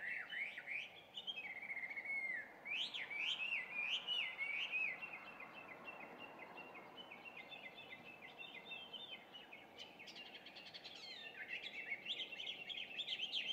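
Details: Introduced Chinese hwamei singing at about 5:30 on a June morning, distant. A long run of varied whistled and warbled phrases, softer in the middle, becomes busier again toward the end, over a persistent low hum.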